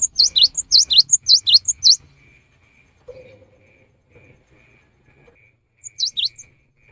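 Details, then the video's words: Java sparrow afternoon song that draws other birds into singing: a rapid two-second burst of high, bright chirps, then near silence with a faint low sound, ending with a short repeat of three chirps. "Kicau gelatik batu di sore hari ini bisa memancing gelatik lain untuk ikut berkicau"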